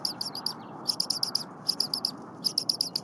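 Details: Bald eagle eaglet at the Berry College nest, 8:00 AM on 23 January 2022, chirping incessantly while its mother preps leftover frozen prey. High, thin chirps come in quick bursts of three to five notes, pausing briefly between bursts.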